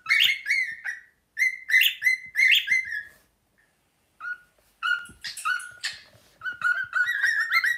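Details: Two pet cockatiels performing Another One Bites the Dust as a double act; the bird runs around excited. Clear whistled notes in quick repeated rhythmic bursts, a pause of about a second, then further stepped and rising whistles.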